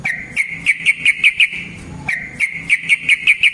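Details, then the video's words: Yellow-vented bulbul fighting song used as a lure: a run of short, clear whistled notes repeated briskly, a brief pause, then another even series of the same notes. "Burung TRUCUKAN GACOR Ropel Panjang Cocok untuk PANCINGAN Trucuk bahan dan MASTERAN Burung Trucukan"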